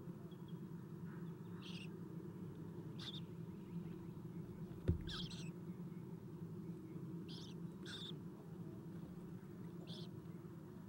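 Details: Nest camera at an owl nest, 7:04 am, 11 April 2016, owlets being fed: repeated brief high, scratchy squeals every second or two, one loud knock midway, low hum throughout.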